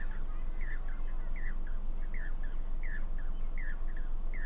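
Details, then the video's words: Four Jacobin (pied crested) cuckoos on a wire at Damdama lake, India, seen as monsoon harbingers, give ringing, slightly slurred notes in quick pairs and triplets over low wind or traffic rumble; possibly a mating ritual, uncertain. "Jacobin cuckoo call"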